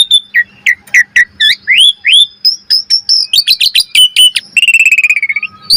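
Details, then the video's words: Asian pied starling master song for training caged birds: upswept whistles repeated about twice a second, quick chattering notes, then a fast buzzy rattle and a long falling whistle. "Pancingan Burung Jalak Suren Gacor Mompa Variasi - Suara Masteran Jalak Agar Gacor Full Isian Mewah"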